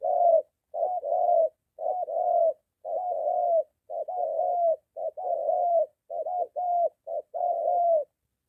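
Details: Near home, a moulting decoy spotted dove confronts a wild one, giving a steady series of paired coos, a brief lead note then a drawn-out mellow coo, repeated roughly every second.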